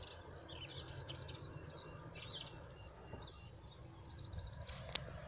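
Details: Melodious warbler singing on 17 April 2017: a fast, continuous, chattering warble of high twittering and scratchy notes tumbling together without pause, with a low rumble of background noise and a sharp click near the end.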